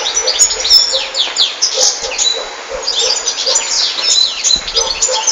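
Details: Singing European goldfinch giving a continuous rush of high, liquid twitters, quick slurred chirps and brief buzzy notes, with soft lower pulses running beneath throughout.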